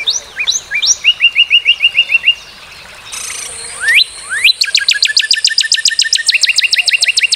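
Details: Northern cardinal song in changing phrases. Sharp upslurred whistles open into a run of short, even chips, then a pause with a hissing tone. A long, rapid train of rising slurred notes follows.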